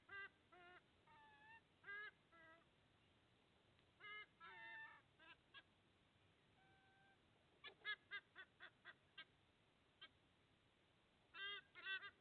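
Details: Sea eagle at an Australian nest, 30 August 2024, as the father brings lunch for two eaglets; repeated nasal honking calls in irregular bursts, a thin steady whistle near six seconds, then quick clipped notes and a final honking flurry.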